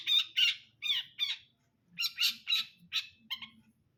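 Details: Brundol-type long-tailed shrike giving a run of harsh, squawky notes repeated about three times per second, in two groups separated by a brief pause.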